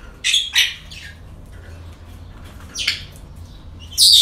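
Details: Parrots at a breeding centre on an ordinary day: two rapid rasping squawks, a pause, another harsh squawk, then a loud screech at the end, with lower chatter between.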